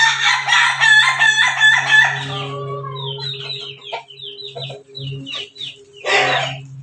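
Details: At morning, a crossbred Pelung × Bangkok rooster gives a long, rich, wavering "laughing" crow, followed by short chirps and a brief harsh burst.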